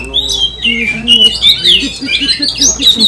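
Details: Oriental magpie-robin singing aggressively to provoke rivals: a continuous stream of high whistled phrases and rough chatter, over low, repeated murmuring voices.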